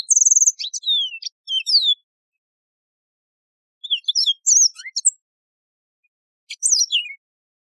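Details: Mozambique serin, the yellow-fronted canary, giving three separate song phrases. It opens with a steady high trill and falling whistles, pauses two seconds, then gives a jumbled twitter and finally a short descending warble.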